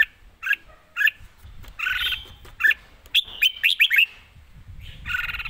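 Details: Red-whiskered bulbul, live, giving quick riffs with good phrasing: scattered short chirps, then a rapid series of five bright downslurred whistles, mixed with some broad rustling noise.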